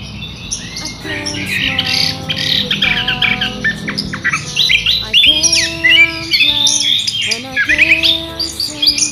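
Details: Orange-headed thrush in a loud, clear rolling song, used as a lure and training recording: dense bright trills, chattering phrases and sliding whistles, over steady lower pure-toned notes that repeat throughout.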